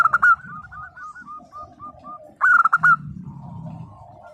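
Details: Zebra dove of a local type in vigorous 'nembak' song: a brief loud rattling burst opens, then a string of soft, evenly spaced bending notes, then a second loud burst over faint low rumble.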